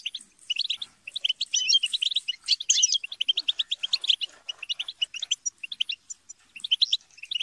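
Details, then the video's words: Group chatter and squabbling of European goldfinches, meant to stimulate singing; a continuous stream of quick, sharp twitters and tinkling notes, busiest in the first three seconds, then sparser rhythmic chirps. "بتبتة وتستسة وشجار الحسون - اقوى بتبتة جماعية لتحفيز الحسون على التغريد - بتبتة وشجار لتحفيز حسونك"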